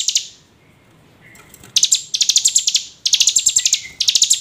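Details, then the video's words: Hill prinia calls used as a lure to make other prinias sing: a brief buzzy burst, a quiet gap with a faint whistle, then long, rapidly pulsed, rattling trills run together. "Pancingan ciblek gunung agar rajin bunyi"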